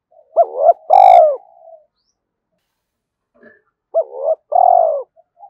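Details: Spotted dove giving gáy gọi calling coos to stimulate decoy doves: two phrases about three seconds apart, each a quick double hooked note and then a long, soft, downward-curving coo.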